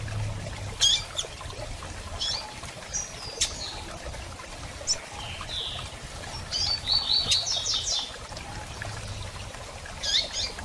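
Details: Scattered sharp, high chips and short descending notes from a female double-collared seedeater asking to mate. A quick series of chips comes near the middle, over faint background noise.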